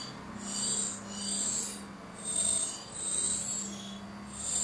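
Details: Begging great tit chicks nesting in a barbecue, watched by a camera as the mother feeds them and takes away their droppings; rasping, breathy hisses come in pulses about once a second, with a steady low hum beneath.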